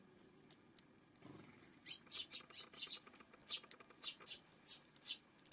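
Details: Eurasian tree sparrow on a June 5 afternoon, giving short sharp chirps that start faintly and then come in a loose run of about a dozen, some closely paired, over quiet background hiss.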